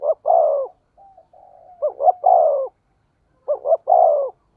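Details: Spotted dove with a deep 'thổ sấm' voice, recorded for luring wild doves. Repeated phrases of a brisk double note and a longer descending coo, with a soft thin tone between them.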